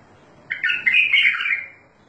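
A bulbul gives a short, rich warbled phrase of bright, slurred notes lasting just over a second, with nothing else heard.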